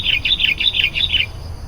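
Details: Chatty sooty-headed bulbul, played to lure wild bulbuls: a quick string of about seven ringing, slightly descending chirps in just over a second, with low background rumble.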